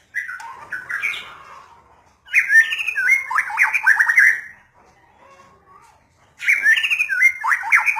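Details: A white-rumped shama delivers three bursts of song separated by quiet pauses, each mixing whistled slurs with fast rattling, chattering notes, the middle burst being the longest.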